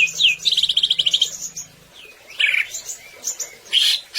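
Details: Greater green leafbird in energetic gacor song for training other birds: a quick sweeping note, a rapid buzzy trill lasting about a second, faint low hum beneath, then scattered bright whistled phrases after a pause.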